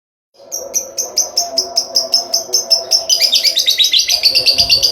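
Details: Lovebird giving a long ngekek trill: sharp high chirps repeated about three per second, quickening after three seconds into a dense, continuous rattling trill.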